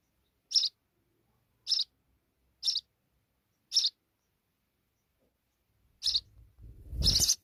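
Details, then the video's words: High, brief chirps from sparrow babies begging as their mother brings insects, Pakistan: five evenly spaced notes about a second apart, then a sharper chirp over a loud rough burst of handling noise at the end. "Sparrow's Mother are Return very Quickly for Babies to feed them Insects"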